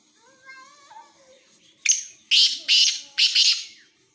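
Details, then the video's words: Black francolin calling near Khushab, Pakistan: after a few soft whistled tones, a series of four harsh, grating, high-pitched notes in quick succession, the last two paired, in a quiet indoor-sounding space. "kala teeter ki awaz"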